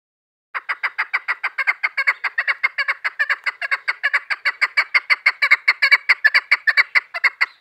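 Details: Female chukar partridge used as a hunting decoy, giving a long run of loud clucking notes repeated about two per second, steady chuk-chuk rhythm building through the clip, no other sounds.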